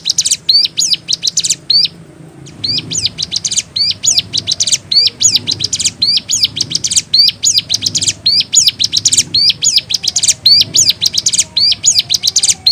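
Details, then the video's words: Long, vigorous ciblek gunung song with unique variations: dense strings of very high, sharp chirps and hooked whistles in quick phrases, one short silent gap near the start, with a low hum underneath. "Burung Ciblek Gunung GACOR Variasi UNIQUE"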